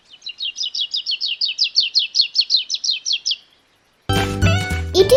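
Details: Sri Lanka White-eye, a very vocal endemic of Sri Lanka's highlands usually found in active flocks in the forest canopy: a fast series of about fifteen high, thin chirps over three seconds, followed by a burst of music.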